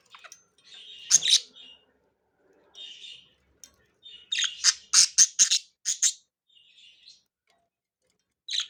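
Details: Chirping from three captive budgerigars at play: soft warbled chatter, then a loud cluster of sharp, high chirps around the middle, fading into quiet murmuring before one more bright note at the close.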